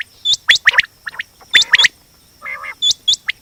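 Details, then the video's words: A quail gives sharp, high, upslurred chirps in quick three-note bursts about every 1.2 seconds, with a brief low, buzzy, gargling sound between bursts. "Batir ki aawaz||batir ki boli||quail voice"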